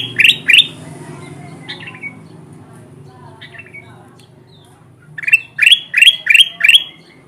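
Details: Kutilang emas bulbul lure sound for catching wild birds: two sharp rising chirps open, followed by scattered thin notes, then a rapid run of five upward-sweeping calls close together.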